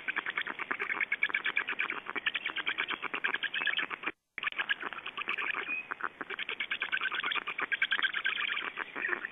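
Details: Black storks at an Estonian nest during feeding, 8 June 2012: rapid, regular rasping pulses like a fast rattling chatter, continuing throughout with a brief break midway.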